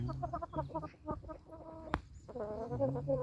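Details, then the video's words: Farm chickens giving quick series of nasal clucks, pausing briefly, then resuming in a rapid run over a steady low hum, with a sharp click midway. "Farm animals, animal sounds: cow, chicken, pig,"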